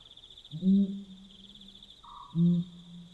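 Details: Pel's fishing owl calling at night in Botswana: two deep, booming hoots about two seconds apart, each with a short trailing tail, over a steady high insect trill and a faint brief tone.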